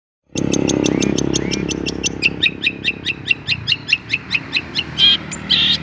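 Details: Young long-tailed shrike singing a rapid series of short, sharp high notes, slowing into evenly spaced chirps and ending with a couple of clear whistles, over a low background hum.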